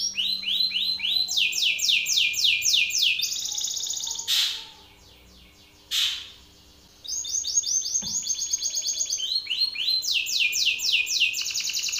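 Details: Angry Belgian canary male belting out song in a rival male's face: quick rolling trills of falling sweeps and sustained buzzy tours, broken by two short pauses with isolated loud swoops, then the rapid trilling resumes.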